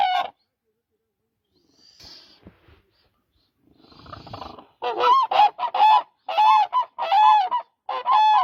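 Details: Koonj, or demoiselle crane: after a few seconds of faint rustling and low noise, rolling trumpeting calls rise sharply and repeat in quick bursts until the end.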